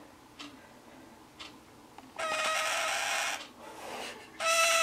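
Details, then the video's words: Male pet scarlet-chested parakeet crying indoors on June 15th beside his female mate, a month older than him; after faint ticks, a long harsh raspy buzzing cry, a pause, then another loud grating burst. "Scarlet Chested being a cry baby"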